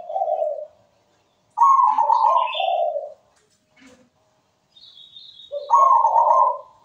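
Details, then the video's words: Zebra dove singing soft rolling coos in repeated phrases, with a brief higher chirp from another bird between them and quiet gaps. "MEWAH PERKUTUT GACOR SUARA MERDU"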